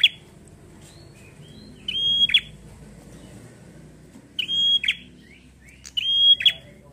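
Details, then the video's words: Gacor ngalun fighter song of a bar-winged prinia, meant to get prinias singing: three phrases, each a held shrill whistle ending in a rasping downward buzz, with a few soft faint notes between. "Suara prenjak Gacor ngalun fighter"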